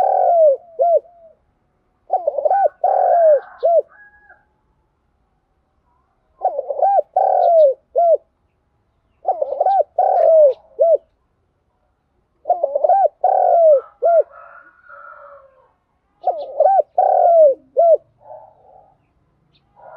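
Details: Spotted dove cooing and calling in the morning: loud, low, mellow phrases of three or four rounded coos repeated every few seconds, six phrases in all, with softer faint twittering notes in the pauses.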